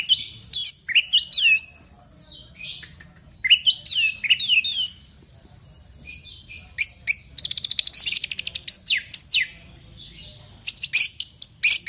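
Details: Orange-headed thrush singing very loudly as a lure for kept birds: swooping slurred whistles, buzzy rattles and fast trilled runs of sharp notes, delivered in bursts separated by short quiet gaps.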